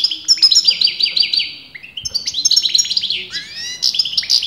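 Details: Continuous goldfinch song, the bird's sex disputed by breeders: a quick train of repeated sliding chirps, then a short gap before a renewed burst of metallic, tinkling twitters and rising whistles.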